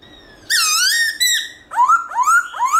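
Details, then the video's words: In the morning a black-throated laughingthrush sings in the varied forest-voice style: one long slurred whistle, then three quick whistles that each rise sharply upward. "Khướu Bạc Má Hót Giọng Rừng ĐẢO GIỌNG Buổi Sáng"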